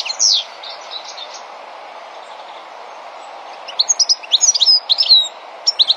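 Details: Female European goldfinch building a nest: short bursts of high, bright twittering notes, a brief chirp at the start, then a quick run of sharp tweets after a quiet stretch, over a faint steady background hum.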